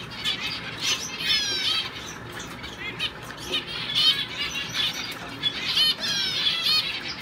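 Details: Male double-barred (owl) finch in a show cage, training for shows, singing soft, nasal, rapidly repeated notes and short slurred phrases, with wingbeat flutters and other small-finch chatter in the background.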